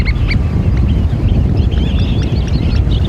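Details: Eurasian oystercatcher calling outdoors: two loud, clear, ringing notes at the start, then a dense flurry of overlapping shrill piping calls from several birds against strong rushing wind or surf.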